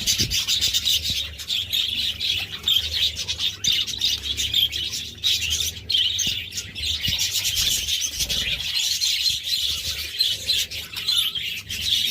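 A budgerigar keeps up a steady scratchy, twittering warble, with quick chirps running together without pause.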